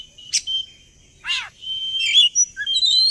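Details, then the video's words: Magpie-robin lure song for prompting birds to sing along: a sharp chirp, a harsh falling rasp, then a run of bright varied whistled notes and trills. "Suara pancingan burung Kacer agar ikut narung"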